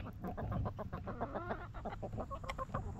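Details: Backyard hens relaxing in their coop cluck steadily in quick, soft, overlapping notes, mixed with short wavering tonal calls and a few higher chirpy notes near the end. A low steady hum sits underneath.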